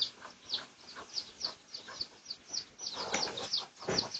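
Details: Pradu-coloured red junglefowl in a research recording from 18 August 2023, giving high, thin peeps in quick succession, roughly three per second, with a fuller, louder burst of notes near the end.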